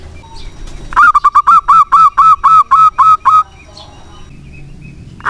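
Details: Local zebra dove in strong song, used to prompt doves that stopped singing: a quick run of about twelve clear, resonant cooing notes, then near silence with a faint note at the end.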